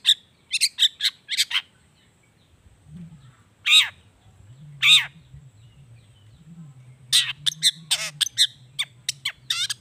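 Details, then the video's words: Long-tailed shrike song with mimicked natural sounds, used to lure shrikes into singing: harsh squeaky bursts, a few loud grating notes, then a rapid chattering run over a low steady hum. "SUARA CENDET GACOR ISIAN ALAM"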